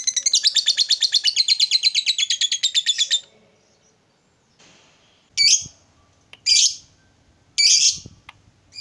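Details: Lovebird ngekek used to call a rival: a three-second burst of rapid high chattering pulses, then a pause and three loud, harsh, separate chirps about a second apart.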